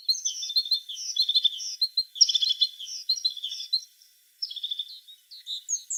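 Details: Tit singing: a busy run of high, bright chirps and short twittering phrases that pile together, a dense burst near the middle, a brief pause, then more thin notes resuming toward the end.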